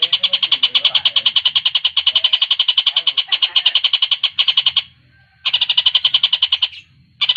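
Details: Javan kingfisher in a fast, dense song used for tutoring competition birds. Rapid rattles of high notes come in bursts split by short silences, over faint low background rumble.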